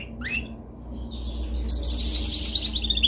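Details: Canary song used for training, called the most dominant song: a short rising note, then a long run of rapid repeated trilled syllables around the upper range, pulsing several times a second, over low steady background hum.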